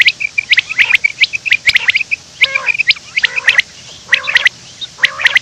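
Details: Quail recorded in the morning while running, giving rapid high chirps and clicks punctuated by brief lower nasal harmonic calls roughly every second in the latter half.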